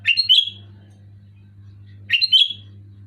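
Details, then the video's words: Two quick liquid phrases from a Sooty-headed bulbul, each a cluster of chirpy notes ending in a clear whistle, spaced about two seconds apart against a faint steady hum. "Suara burung kutilang gacor keras jelas"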